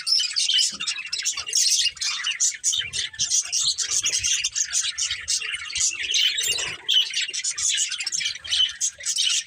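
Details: A family of caged budgerigars keeps up busy, high-pitched chirping and warbling, many short notes tumbling over each other in a constant lively chatter, with faint low knocks beneath.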